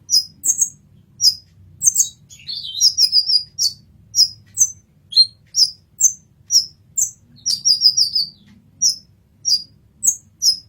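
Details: Olive-backed sunbird singing in a 'masteran' recording. High, squeaky single notes repeat steadily about twice a second. Two short fast twittering runs break the pattern, with the notes dropping slightly lower during the first run.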